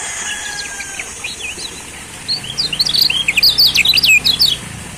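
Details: Lombok yellow white-eye lure song for getting silent birds to sing: faint distant twitters at first, then a loud, fast burst of high, sharp, jittery notes in the second half, with a faint low hum beneath.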